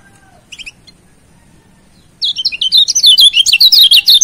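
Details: Kecial kuning (Lombok white-eye), master song for training birds and provoking a rival: after near silence, a dense, rapid, high twittering warble of quick chirped notes runs continuously to the end.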